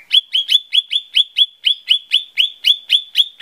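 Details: Lesser green leafbird song used as a lure: a steady, rhythmic series of about fifteen identical upslurred sharp chips, roughly four to five per second, clear and loud throughout.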